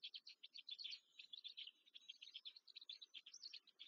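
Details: Black stork (Ciconia nigra) chicks being fed at the nest in Łódź, Poland, 14 May 2023: a dense, harsh, high chattering of rapid squeaky bursts, repeated almost without pause.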